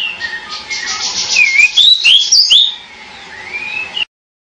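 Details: Pied bushchat singing quick looping whistles in a bright cluster, then a fading lower slurred note before the sound cuts off.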